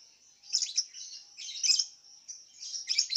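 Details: Singing-contest lovebird from West Kalimantan, kept caged: three tight clusters of piercing, scratchy chirps close together, linked by a thin steady high whine.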